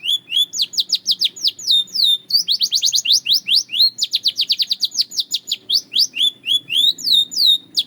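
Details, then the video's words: Belgian canary singing continuously: rapid series of sharp upward-sweeping chirps in bursts of varying speed, with fluted looping whistles between phrases over a low background hum. "The Melody That Turns Any Canary Into a Singing Star!"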